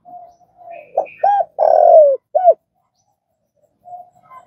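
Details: Spotted dove used for training caged decoy doves: soft introductory murmurs, then a short note, an arched coo, a long falling croo and a closing arched coo, followed by quiet notes.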